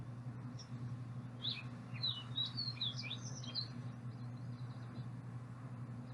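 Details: Fox Sparrow from the northwestern Nevada–California area, where its song resembles Green-tailed Towhee's: one rich, quick phrase of sliding whistles and sharp chips lasting about two seconds, changing phrases each time, over a steady low hum.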